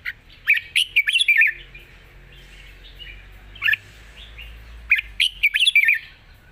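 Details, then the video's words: Wild-style long-phrased song of a red-whiskered bulbul: a lively burst of rapid warbled notes, a lone chirp after a pause, then another quick run of bright notes, with a low hum underneath. "เพลงป่าๆ สำนวนยาวปากเบา ฟังเพลิน#นกกรงหัวจุก"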